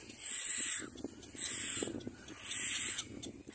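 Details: Little black cormorant adults and young together at their nest: three long, breathy, rasping calls, each slightly falling in pitch, about a second apart, with soft low knocking sounds beneath.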